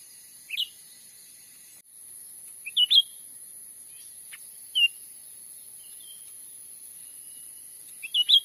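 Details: Grey-bellied bulbul heard in Sumatran forest, recording meant as a bird-trapping lure: scattered short whistled chirps and two-note phrases spaced a few seconds apart against steady high-pitched insect-like hiss.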